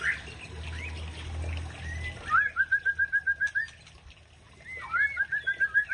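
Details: White-rumped shama, locally Murai Aceh, singing to taunt a rival. After soft whistles it gives two crisp, evenly spaced trills of about ten notes each, separated by a pause. A low hum runs underneath at first.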